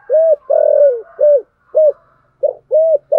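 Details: Spotted dove giving a thổ-style calling coo with two-note ending: seven low, hollow coos, short notes around one long falling note, in quick succession with brief gaps.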